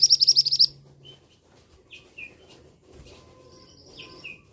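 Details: Male scarlet minivet opening with a quick run of high, sharp repeated notes lasting under a second, followed by sparse, softer downslurred chirps and a thin drawn-out whistle from other birds.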